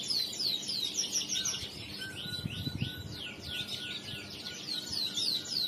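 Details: Riwikan-style song from a male crested canary, a fast stream of high descending whistled sweeps, about three per second, with a thin steady tone running beneath and faint background hum.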